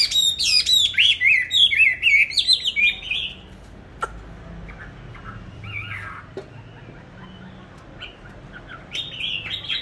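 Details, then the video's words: Caged songbird, bought on 19 May 2020, kept on steady feed and said to sing anywhere at any hour. Three seconds of rapid, high, warbled and trilled phrases, then near quiet with a few faint notes, and a brief burst of song at the end. "cám ổn định hót mọi địa hình ,mọi giờ giấc"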